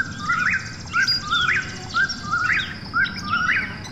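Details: ['Night-calling Eastern whip-poor-will repeating its whistled phrase roughly every second, each ending in an upward swoop, over a faint insect drone and low background rumble.']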